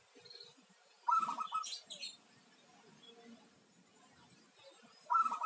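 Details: A local zebra dove gives one fast, bubbling series of coo notes, followed by a long near-silent gap and the start of another phrase at the very end; faint higher sounds accompany the first phrase.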